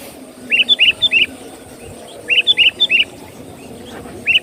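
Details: Lively sooty-headed bulbul lure song meant to draw in other birds. Bright, bubbly three-note phrases repeat in quick groups, a pause between bursts, over a quiet low hum.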